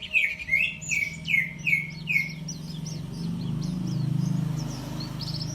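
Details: White-eye song that opens with five loud, sweet, downslurred whistles in quick succession, then breaks into softer, very high twittering chirps; low background rumble.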